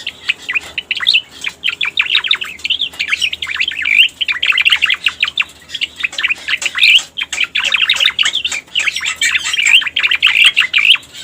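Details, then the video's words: Striated grassbird (cica koreng), recording used as a lure for trapping and as a training master, a dense run of quick chattering, warbling notes with rapid up-and-down sweeps, pouring out almost continuously with brief pauses. "Suara Pikat Burung Cica Koreng"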